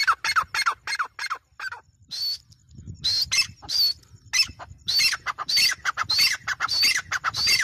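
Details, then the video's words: Quick harsh grey francolin notes, a short pause, then a renewed string of loud strident calls with a high, slightly rising tone, over low background rumble. "GREY FRANCOLIN VOICE"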